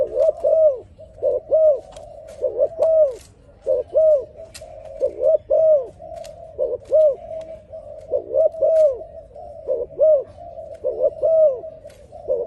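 A dove coos steadily: soft, hollow, low notes in short rolling phrases, repeated without pause, with a few faint clicks behind.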